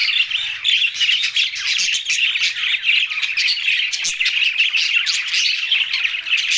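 Budgerigars chatter nonstop with dense, scratchy chirps and warbles packed into a continuous high-pitched stream.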